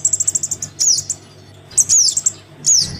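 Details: Crimson sunbird chick begging call used as a lure: brisk high ticking series followed by three thin, sharply descending squeaky bursts, over a soft low hum.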